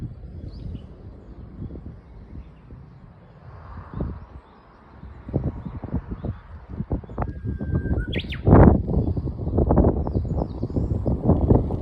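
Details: Spring song of a Japanese bush warbler at Toasa Station, Muroran Line: one clear whistled phrase, a steady note breaking into a quick higher flourish near the end, partly masked by loud low rumbling noise.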